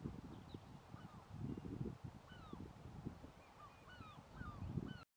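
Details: Mediterranean gulls at Locmariaquer give a stream of short, nasal, hooked calls that overlap from several birds, over a steady low rumble of wind or surf.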